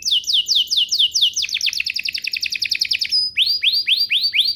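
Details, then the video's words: Canary song played as a lure to draw replies from other canaries. Repeated falling whistled slurs lead into a very fast rattling trill, a brief steady tone, then more descending whistles about four per second. "Pancingan Burung Kenari agar CEPAT BUNYI, terbukti ampuh bikin burung kenari lain nyaut"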